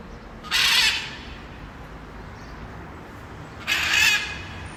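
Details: Blue-and-yellow macaw (Ara ararauna) recorded in nature: two harsh, raspy, broadband screams about three seconds apart, each lasting under half a second, over a steady background hiss.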